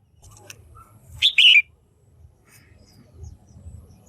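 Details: Female red-whiskered bulbul calling to stimulate males or for pairing: one loud two-part chirp, a short note then a longer slurred whistle falling in pitch, over a faint low rumble.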